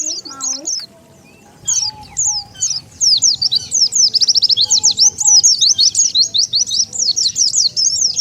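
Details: Oriental white-eye lure call to attract wild birds: a brief lower sound, then increasingly dense trains of very high, sharp down-slurred chirps repeated rapidly to the end.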